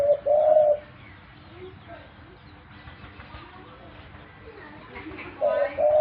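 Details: A pet dove gives low, soft, mellow coos in two short bursts, one at the start and one near the end, with near quiet and faint background murmur between.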